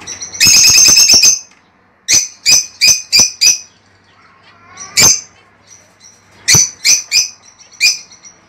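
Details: Lovebird mating stimulation calls: a dense shrill chattering burst, then a run of sharp, high chirps spaced about a third of a second apart, with a few more later after a soft pause.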